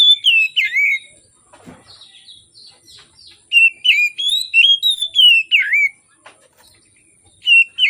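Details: An Oriental magpie-robin in full morning song, meant to lure reluctant singers: loud, sweet whistled phrases with falling slurs, a pause of soft scratchy notes, then another burst of rich whistles.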